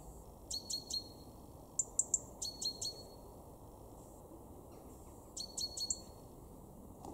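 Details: European robin in a garden in Weener, East Frisia, far northwestern Germany, February 2023: groups of two to four sharp, high, clicking notes, the groups spaced irregularly over several seconds, against low steady background noise.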